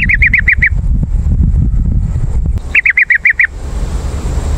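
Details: Yellow-vented bulbul call to draw in wild birds: two bursts of about six quick, bubbly chattering notes, one at the start and one near the end, over a low background rumble.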